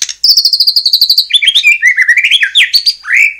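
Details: White-rumped shama song meant to make other shamas respond: a quick high trill of about a dozen notes, followed by a tumbling run of varied warbled whistles and a final upslurred note.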